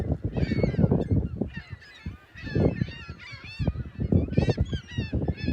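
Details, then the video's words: Gulls calling on a Sunday morning, March 21st, 2021, at South Beach in South Haven by the lighthouse and pier. Bursts of loud, wavering, yelping calls come in clusters, with a rumbling surf beneath. "Morning Sounds of Big Blue & Seagulls"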